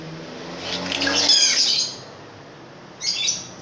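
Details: Long-tailed shrike, a caged bird prized for its loud voice, giving a harsh, grating burst of rough notes lasting about a second, followed by a shorter scratchy phrase; faint low hum underneath.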